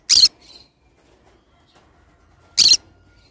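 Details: Pineapple variety of green-cheeked conure with two loud, raspy, high-pitched screeches about two and a half seconds apart and a soft chirp after the first. Silence between calls.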